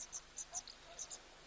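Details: Oxpeckers fluttering on a giraffe drinking at an African waterhole, diving at its ears; short, very high, hissy chirps, about seven in a second and a half, the most prominent sound, over a faint background hiss.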